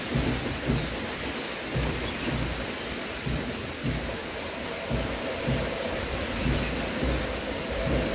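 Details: Heavy rain and rumbling thunder fill the recording with dense crackling noise, and no animal voice comes through.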